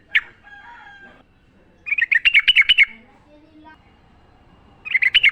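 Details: Sooty-headed bulbul heard in the wild, its song meant for training caged birds: a brief bubbly burst of about eight rapid, slightly warbling notes, followed by a pause and another short chattering phrase.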